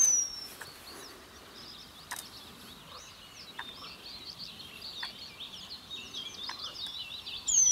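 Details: Male Eurasian penduline tit giving a thin, very high, drawn-out whistle at the start and end, over a busy background of soft twittering chirps from small birds.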